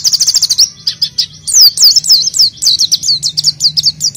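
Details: Oriental white-eye lure song: a rapid train of short high chirps, then a slightly lower stretch of slurred whistles, speeding into quick repeated chirps, about three notes per second overall.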